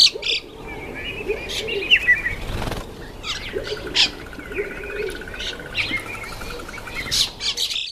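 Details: Common (Indian) myna at a feeding table giving a busy mix of harsh chatters, squawks and a long buzzy rattle, with repeated bursts of flapping wings.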